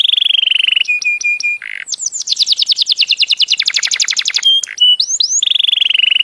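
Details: Songbird singing a rich varied song: sustained high whistles, short repeated chips, then a long fast series of rapid descending notes, followed by upslurred whistles and a return to the steady high tone.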